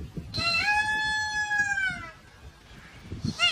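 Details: Indian peafowl (Pavo cristatus), peacock call: a loud, drawn-out nasal wail of nearly two seconds, rising slightly then falling, with a second call beginning at its end; soft rustling and thumps underneath.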